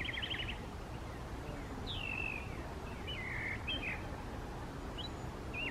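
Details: Mockingbird singing in a park from a short distance; a fast trill, then separate slurred whistles sliding downward, spaced about a second apart, with constant low background noise.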